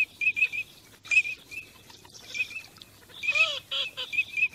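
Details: Teal on migration: sparse short whistles, then a brief cluster of coarse, nasal, falling calls, followed by more whistled notes.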